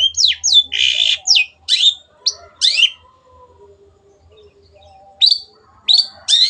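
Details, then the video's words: Cendet (long-tailed shrike) in 'gacor' tutor song meant to make other cendets sing more: a rapid string of harsh, broadband notes and steep slurs, a pause of about two seconds, then three sharp rising calls. "MASTERAN BURUNG CENDET GACOR"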